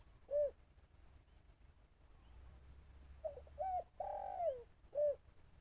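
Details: Trapper's decoy dove calling toward wild doves: an isolated soft coo, silence, then a phrase of short coos rising into a long wavering note that falls away, closed by a single final hoot.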